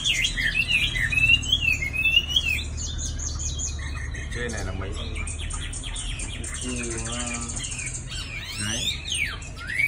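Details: Caged Chinese hwamei nearly two seasons old, kept in Định Công, Hanoi, Vietnam. It sings varied loud whistled phrases, slurred notes and rapid trills. A man talks, and low indoor rumble runs throughout.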